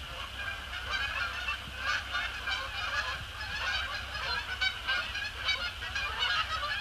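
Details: Canada Geese, resident and migratory, crossing a post-sunset sky to splash down on Sapsucker Woods Pond; a dense chorus of overlapping nasal honks from many birds, rising and falling continuously with no pause.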